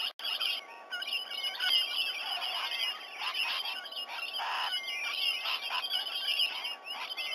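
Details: Wild rainbow lorikeets gathering in and around a sea-eagle nesting tree at Sydney Olympic Park, Australia, shortly after 7 a.m. on 19 November 2020, caught by a nest camera: a dense, continuous wash of overlapping shrill screeches and chatter.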